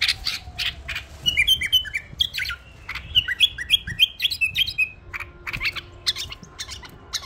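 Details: Tame pet bulbul delivering a long, lively whistled song: quick repeated sliding notes in a steady run, with clicks before and after and a faint low tone in the background.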